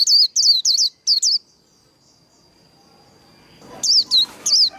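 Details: A Japanese white-eye sings its líu đấu fighting song: four quick falling whistles, a pause of over two seconds with only a faint steady tone, then three more high slurred notes.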